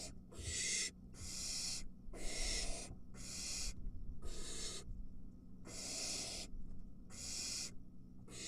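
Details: Nest of barn owls with three young as a parent arrives carrying a mouse, one chick seizing it quickly: about eight noisy, breathy hisses in close succession, some with low rustling beneath.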